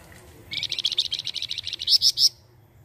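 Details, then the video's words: Songbird kept as a tutor for training white-rumped shamas delivers a rapid, high trill of about fifteen evenly spaced notes, ending in three louder, sharper notes, lasting under two seconds. "BURUNG MASTERAN UNTUK MURAI BATU"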